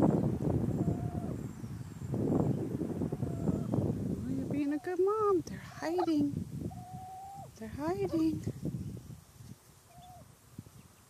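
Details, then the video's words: Street-dwelling wild turkey mother signalling sky danger while her chicks hide. Talking fills the first seconds, then arched, harmonic-rich notes and flat drawn-out tones alternate, fading toward the end. "Turkey mom signals danger to her chicks."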